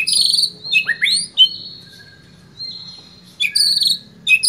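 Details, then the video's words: White-rumped shama provoked by a lure recording: loud high chattering bursts and upslurred whistles, a long level whistled tone in the middle, then more sharp chatter. "Murai batu ini bikin emosi dan bongkar isian seketika"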